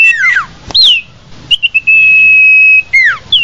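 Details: Common iora lure call used to attract the bird: descending slurred whistles, then a long steady high whistle held about a second, ending in another falling slur and a brief rising note.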